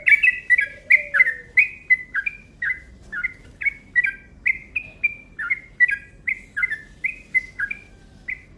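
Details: A yellow-vented bulbul delivers its fast, long 'ropel' lure call: a steady stream of sharp chirps, roughly two per second, slurring down, with a brief low falling tone at the start.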